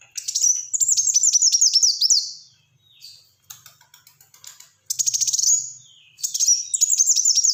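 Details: Black-throated sunbird in energetic song, used to prompt and tutor other birds: rapid runs of high, sharp downslurred chirps and buzzy trills in bursts of about two seconds, with soft clicks between.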